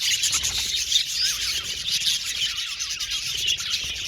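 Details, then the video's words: Budgerigar colony chattering in an aviary, rapid twittering and scratchy warbles mixed with short rising and falling whistled notes, continuous and dense. "Budgies singing and chirping sound"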